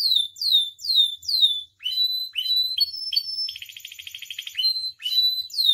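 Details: Captive canary tutor song meant to spur other canaries: rapid swooping downslurred whistles, then clipped upward notes, a steady high whistle and a dense buzzy trill, ending in more falling whistles.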